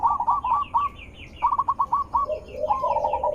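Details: Zebra dove call used to provoke other zebra doves into replying: three bursts of quick, stuttered cooing notes, each ending in a low purr, over light chirping and steady background noise.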